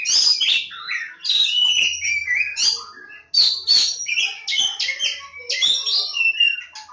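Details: Oriental magpie-robin (kacer jawa) pouring out varied whistles, slurred chirps and harsh notes with sharp clicks, phrases following each other closely; a faint low hum underneath.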